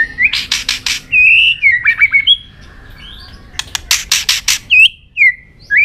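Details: Singing White-rumped shama in peak form, flicking its tail continuously. A rich song of scratchy buzz bursts mixed with sweet, looping whistles, with a quieter pause midway before it resumes loudly.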